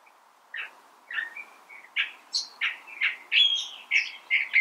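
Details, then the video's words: California thrasher singing: a varied run of short, rich phrases, chirps and warbles mostly in the upper-middle range, each note repeated or changed about every third of a second, over a quiet background. "California Thrasher Bird Sound"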